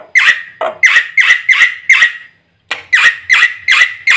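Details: Black-winged myna uttering loud, grating squawks in two bursts separated by a short silence, each squawk harsh and broadband with a steady clipped rhythm.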